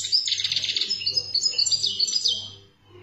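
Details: Goldfinch from Algeria in 'khaloui' style: a dense opening rattle of quick high notes, then clear twittered phrases and slurred whistles tapering off near the end; a low hum is audible.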